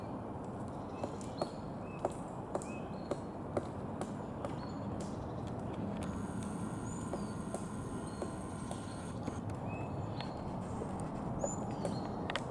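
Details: Woodpecker knocking on a birch tree: scattered sharp, dry taps at irregular intervals of roughly half a second to a second. Brief high chirping bird calls and steady outdoor background noise run throughout.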